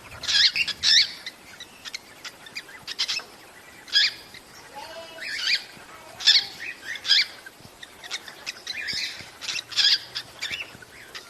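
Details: Cockatiel calls played to encourage breeding: sharp, harsh chirps with bright overtones, given in short bursts roughly every second or two, with softer rustling between them.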